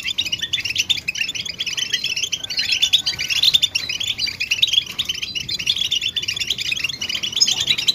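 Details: European goldfinch twittering song meant to encourage males out of silence: quick, jangling chirp phrases in a constant flow, with one drawn-out thin whistle partway through and sharp high notes.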